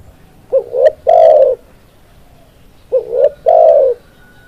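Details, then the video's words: Trapping lure call of a spotted dove (tekukur), with two repeated phrases about two and a half seconds apart, each a quick rising double coo and a rich sustained coo, against a low outdoor rumble. "Suara Tekukur Pikat"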